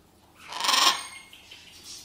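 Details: Blue-and-yellow Macaw kept as a pet, with Czech talk nearby: one loud, grating squawk swelling and fading over about half a second, then a softer, shorter rasp toward the end.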